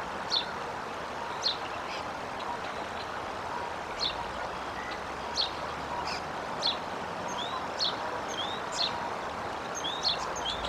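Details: Bald eagle eaglet being fed by a parent on April 11, 2023. Sharp, high chirped notes repeat roughly once a second over a steady rushing background like wind or running water.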